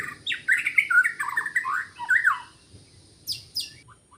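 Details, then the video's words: White-rumped shama in the forest, recorded during bird trapping, giving harsh, squawky, warbling notes in a quick burst, followed by two sharp high clicks. "Rekaman suara asli murai batu hutan ketika sedang mikat"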